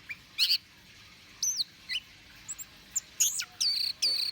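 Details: Lure song of an orange-headed thrush meant to provoke birds: sparse, very high, sharp whistled notes and short slurred phrases separated by brief silences.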